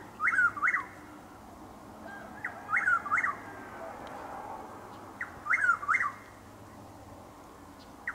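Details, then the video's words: Three clear whistled calls of a Chuck-will's-widow, each a short pick then two rising-falling whistles, roughly every two and a half seconds, recorded at dawn on a drizzly overcast April morning in Lake Placid, Florida. "Chuck-will’s-widow (Antrostomus carolinensis Gmelin 1789) making its call in Lake Placid, FL"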